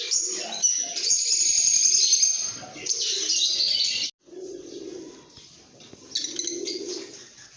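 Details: For about four seconds lovebirds give loud, shrill chirping and whistled squeaks; the chatter then stops and only faint low background sound remains, with a short chirp burst near the end.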